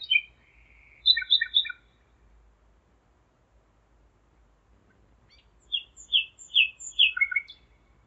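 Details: Common nightingale in Zeitz, Germany, singing at 01:55 on 5 May 2017; two phrases split by a long silence, each made of clear whistled notes and quick repeated chirps, the second ending on lower rich notes.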